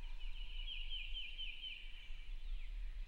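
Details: Roosted male wild turkey gobbling on a wet opening morning near camp, about 150 yards off: one clear rapid series of falling, rattling notes midway, steady rain patter behind.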